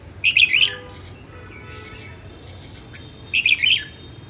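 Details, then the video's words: Female red-whiskered bulbul, northern bird, singing two lively chirping phrases about three seconds apart, with faint thin tones and soft notes between them. "Chào mào hót | luyen giọng chao mào | Chào mào mái"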